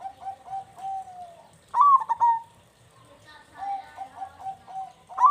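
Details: Zebra dove, a local bird singing actively, used as bait to prompt others to sing: soft rolling coos near one pitch, then a loud burst of sharp staccato cooing notes around 1.7 seconds, with more trilled coos and another loud burst at the end.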